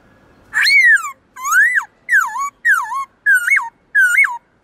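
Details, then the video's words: Many-voiced forest-style song from a caged black-throated laughingthrush, used to stimulate wild-caught birds: six loud whistled phrases, steady spacing, each sliding down or looping up and back, clear with no other sounds. "Khướu bạc má hót nhiều giọng kích bổi cực nhạy/Luyện khướu bạc má hót giọng rừng cực chuẩn"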